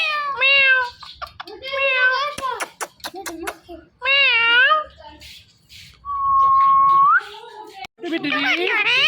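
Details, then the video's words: Pet talking parrot strings together meow imitations and clicking sounds, then a long level whistle, ending in a rush of squawky, wavering syllables. "Parrot Speaking"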